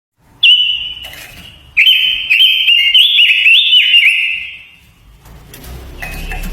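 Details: Japanese white-eye giving a lure song used to excite other birds and train their singing: a long, rapid, sweet twittering warble held high, with fast rising and falling trills, broken by short pauses and a faint low rumble.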